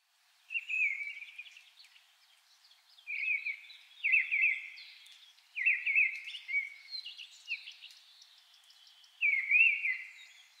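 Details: Mistle thrush singing short, fluty, blackbird-like whistled phrases, five or six in ten seconds, each separated by a brief pause; simple, irregular, rather monotonous, without blackbird-like blocks or song thrush double repeats.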